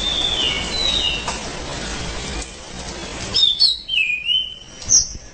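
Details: Loud, continuous song of an orange-headed thrush: a run of varied whistled notes, some sliding and some sharp, with a quick burst of phrases near the end over faint hiss.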